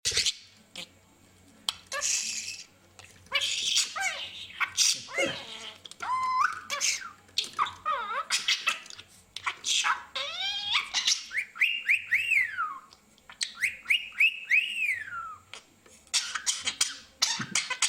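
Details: A budgerigar coughing: short, harsh, noisy bursts mixed with chirps and warbling whistles.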